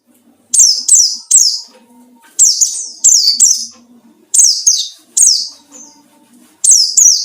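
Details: White-eye lure song for provoking rivals: bright, high chirps that drop sharply in pitch, delivered in quick doublets and triplets with short pauses, faint low noise underneath.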